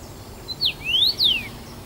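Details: Bazel, Belgium, 7 June 2015: a singing first-summer male Common Rosefinch gives one crisp whistled phrase, brief opening notes followed by an upward sweep and a downward sweep.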